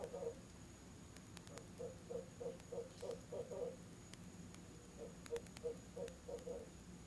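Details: Evening nest-box visit by a Barred owl with its mate chiming in, October, 7pm; two groups of rapid hoots, softer and more spaced at first, then a second quick run after a pause.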